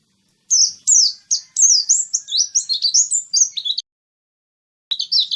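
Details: Loud, close Oriental white-eye song used to stir white-eyes into singing: a three-second burst of rapid high whistled notes, each slurred up or down, then a pause and a brief restart.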